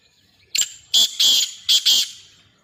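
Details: Sindhi black francolin giving a loud, harsh, grating call: one short opening note, then two paired bursts of rasping notes, five notes in all over about one and a half seconds, with little other sound.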